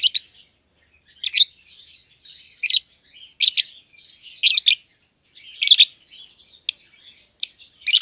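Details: Caged pair of young lovebirds, one albino with red eyes and one euwing green opaline, seen feeding each other; steady stream of shrill chirps in irregular bursts with soft twitters between.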